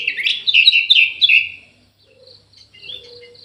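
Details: Orange-headed thrush kept in an aviary: a lively, rolling phrase of slurred whistled notes lasting over a second, followed by softer, scattered high twitters.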